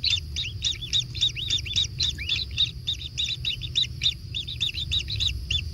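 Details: Nestling kingfishers clamour for food in a natural nest, growing more frantic, with fast high chirps, some rising and looping upward, tumbling over one another at about three to four per second above low rumbling noise.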